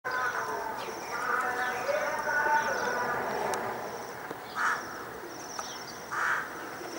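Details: A flock of waxwings in Kyiv, Ukraine, in winter 2013 gives thin, high, buzzy trills that run on as a steady shimmer, half-masked by low voices and city noise.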